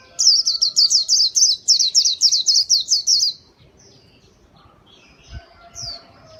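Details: High, rapid white-eye song used for luring: about three seconds of quick falling chirps in an unbroken run, then quiet with a few soft distant notes and a faint thump.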